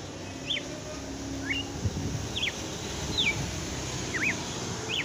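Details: Late-afternoon song of a red-cowled cardinal: faint, evenly spaced whistled notes, each a quick rising or falling slur, about six in five seconds, over steady low background rumble.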